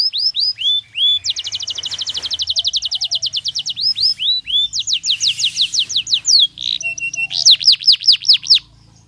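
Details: Belgian canary singing for training: phrases change quickly, with curved whistles, a fast even trill of rising strokes, another trill of sharp sweeps, a brief buzzy note and final steep whistles.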